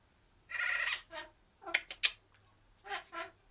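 An Amazon parrot gives a harsh, nasal squawk, then sharp clicks and pops, and ends with two shorter grating notes, all in under four seconds.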